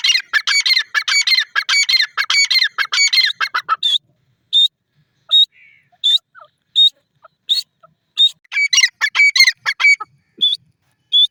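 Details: Black francolin while feeding: a fast train of harsh, buzzy multi-note phrases for the first four seconds, then spaced short chirps, and another burst of grating notes near the end.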